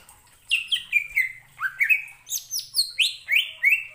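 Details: Greater green leafbird song used to excite other leafbirds into singing: a lively string of loud whistled notes, mostly downslurred, with a few rising upsweeps, evenly spaced about twice per second.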